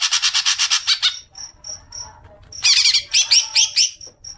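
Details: Greater green leafbird lure sound for long chattering: a rapid harsh rattle, a quiet spell with soft regular ticks, then loud scratchy chattering bursts.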